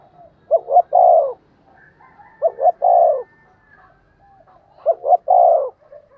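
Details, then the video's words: Spotted dove decoy bird giving its calling coo to stir up wild doves: three phrases about two seconds apart, each two short quick hoots followed by one longer, fuller mellow coo, with quiet background. "Chim cu gáy mồi chai thúc và gáy gọi mới nhất/ chim cu gáy kích bổi"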